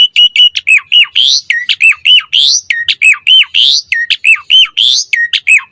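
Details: Asian pied starling in full pumping, varied song used as a master recording and lure for training starlings: loud rapid hooked whistles alternating with harsh buzzy bursts, repeated almost continuously.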